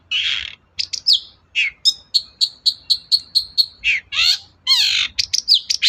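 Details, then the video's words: Long-tailed shrike singing, used to prompt a quiet shrike to sing: a harsh rasping burst, then a run of about ten short, bright, evenly spaced high notes, ending in more scratchy buzzy phrases. "BURUNG CENDET GACOR DOR, MEMANCING CENDET DIEM AUTO NYAUT GACOR"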